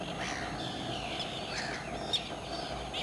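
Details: Common terns at RSPB Saltholme on 17 July 2012 give harsh, grating, downslurred calls, several overlapping in quick succession over a steady hiss of background noise.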